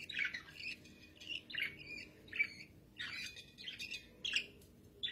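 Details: Pet budgerigars kept as cage birds: short harsh chirping squawks with harmonics, given in separate bursts roughly every half second to one second, with some quieter chatter between them.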